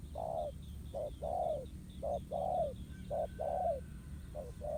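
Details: Spotted dove, a wild male drawn to a trap's ground decoy, giving paired coos: a brief low note then a longer falling one, repeated regularly, with faint high bird calls and a steady hum behind.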